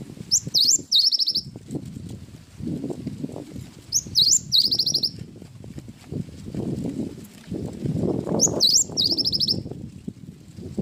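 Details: Cinereous tit in gacor song with isian wingko: three short high phrases of rising slurs ending in quick repeated notes, spaced about four seconds apart over steady low-pitched rumble.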